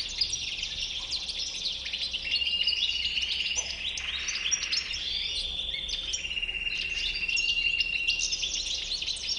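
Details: European goldfinch with a white chin producing a long, unbroken, jangling twitter with a sustained buzzy tone beneath rapid high chirps, steady in volume throughout.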